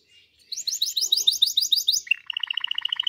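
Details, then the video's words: Singing canary delivering a fast series of bright, repeated high notes, then switching to a steady, even trill of clipped pulses, all in a clean recording with no other sounds. "canary singing video best canary singing"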